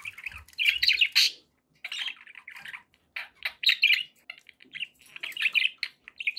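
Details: Budgerigars chattering in pet company: clusters of fast, scratchy chirps and warbles separated by brief pauses, with a few soft low thuds early on.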